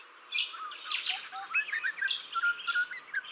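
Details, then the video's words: Grey butcherbird, a juvenile claiming a garden as territory, replying to other territorial calls near a fountain: mellow low whistled notes with short downward slurs, over busy high twittering from other small birds. "Grey Butcherbird’s melodious calls"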